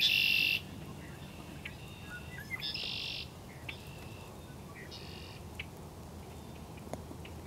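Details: Red-winged blackbirds call at Raymond Brook Marsh on March 4, 2011, with harsh buzzy trills and sharp scattered chips.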